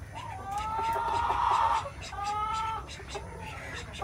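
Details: Domestic Araucana chicken from Chile heard at a distance, a rooster's drawn-out crow in two sustained harmonic phrases, the first longer and slightly rising, over steady low background noise.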